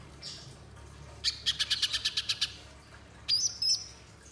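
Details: Spiderhunter lure to get a bird singing: a short, dense burst of harsh chips, then a pause before a brief high, thin whistled phrase with a few more notes.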